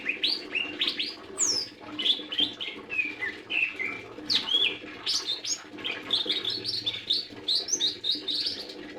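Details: Lesser green leafbird in continuous, lively song: rapid clear whistles, slides and chirps follow each other almost without pause, changing pitch constantly, while a faint low hum runs beneath.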